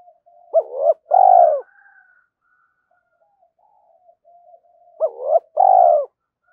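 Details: Spotted dove calling at a rival in the morning, urging a fight. Two matching phrases come about four seconds apart, each a quick two-note coo followed by a long, rough, falling croon, with faint background coos between.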